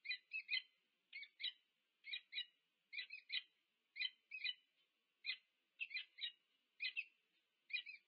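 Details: Two wild peregrine falcons meet at a nest at UC Berkeley, USA, 2 November 2022, captured on nest cam: sharp grating notes in pairs or triplets, repeated roughly once a second in a steady chattering rhythm, no other sounds.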